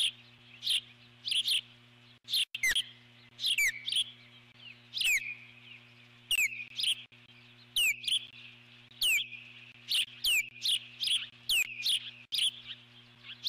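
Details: Alarmed eagle at its nest, 12 July 2014, calling repeatedly as an intruding large bird passes: rapid high, downward-sweeping squeals and chittering notes in uneven bursts, over a steady low hum.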